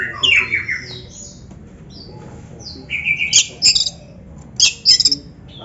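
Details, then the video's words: Oriental magpie-robin singing for a recording meant to train captive birds: varied descending whistles and faint high notes, then loud buzzy chattering bursts in two groups. "Suara Burung Kacer yang Cocok Buat LATIHAN"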